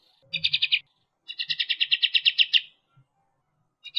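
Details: Striated grassbird 'tembakan' song, fast and tight: a short burst of five quick high notes, then a longer string of about a dozen rapid notes, ending in quiet.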